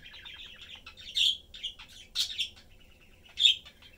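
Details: Family of three pet budgerigars, blue father, yellow mother and young, chattering; soft buzzy warble interrupted by three loud sharp chirps.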